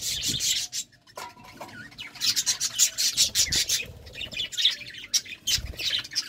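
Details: Courting budgerigars give a steady stream of scratchy warbles and pulsed rasping chirps, with a couple of lower squeaky notes early on.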